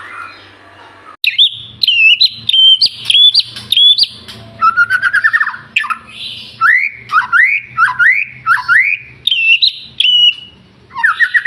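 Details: White-rumped shama in full song, played to prompt birds to sing: loud, clear whistled phrases alternating between high, steady notes and lower, rising and falling slurs, broken by short pauses and harsh squawky notes.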